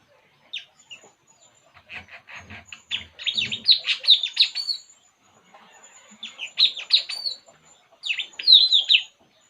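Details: A relaxed puling bird chatters in bursts of rapid, bright, high-pitched chirps and twitters, pausing briefly between phrases, with a few low soft sounds underneath early on.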